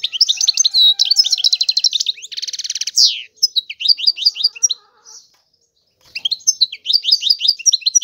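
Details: European goldfinch song from a bird presented as a clean royal goldfinch that sings without stopping: quick tinkling twitters, a harsh buzzy rattle, then chains of downslurred chirps resuming after a short silence.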